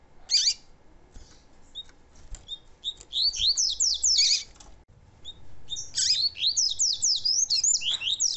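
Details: A double-collared seedeater (coleiro) sings two fast, high, twittering phrases of sweeping chirps and slurred notes, each a few seconds long, over a quiet background; the recording is used to stimulate song in cold males.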